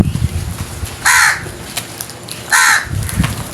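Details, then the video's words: Crow giving two harsh, loud caws about one and a half seconds apart over low rumbling background noise. "Very strange Crows Sounds | Amazing noise made by Crows"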